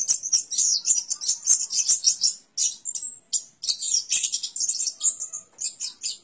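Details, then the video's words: Continuous, very high, scratchy warbling from an orange-headed thrush, almost unbroken chatter with brief gaps and a few clearer whistled notes. "Suara Burung Anis Kembang"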